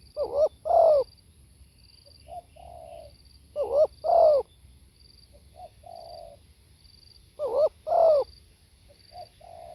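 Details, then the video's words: Spotted dove, live: three repeated phrases about three and a half seconds apart, each a loud husky double coo followed by a short note and a softer drawn coo. "เสียงนกเขาใหญ่ สด | suara tekukur"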